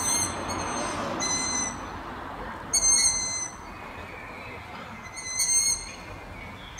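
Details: Young Long-eared Owls in trees, including spruce, in the town of Martin, Slovakia, in the evening give high, thin squeaky whistles. Three drawn-out calls come a few seconds apart over a steady hiss of background noise.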